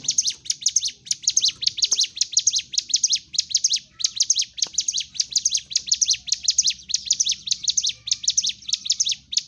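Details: Sunda warbler singing a fighting song meant to provoke other birds: a dense, continuous run of high, sharp chirping notes, each a quick downward-sweeping flick, repeated roughly twice a second without pause over a faint low hum.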